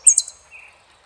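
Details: Brief fragment of saffron finch song, El peregrino style: a loud high piercing note and a quick down-slurred chirp, followed by a faint lower whistle fading away.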